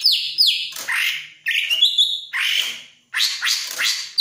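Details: A greater green leafbird, said to be eager to mate, sings a loud, varied song of rich whistles, slurred downstrokes and bright chattering bursts, several quick phrases with short pauses between.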